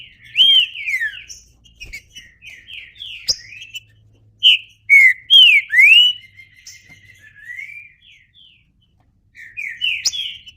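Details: Green-winged saltator singing separated phrases of loud, clear whistles that sweep up and down, with a few sharp clicks and pauses of silence between the phrases.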